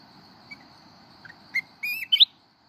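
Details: Red-whiskered bulbul of the mountain type singing its wild-style kít bổi song: after a few soft chirps, a quick bright warbled phrase of rising and falling whistled notes, over a constant high-pitched insect-like hum.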